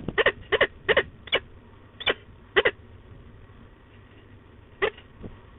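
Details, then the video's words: A female peregrine falcon at De Mortel grumbles on 15 October 2021 in short, harsh, rasping notes, several in a quick cluster, then scattered single notes over a quiet background. "Mopperende V"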